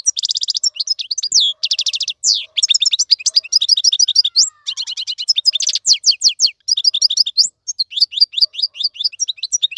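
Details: European goldfinch tutor song aimed at teaching young birds: long, rich sequence of rapid twitters, buzzy trills and sharp chirps, almost continuous, in a quiet setting.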